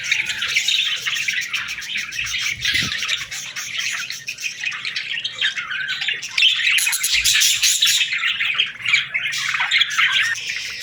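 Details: Baby budgerigars calling for food and interacting, likely indoors: a dense, continuous chatter of high, scratchy chirps and squawks, many overlapping voices with no pauses, growing brighter and busier in the second half.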